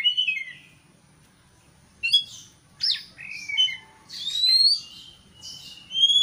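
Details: Oriental magpie-robin song used to goad a rival: a falling whistle, a quiet pause, then clear whistles, slurred notes and high bright tones picking up toward the end.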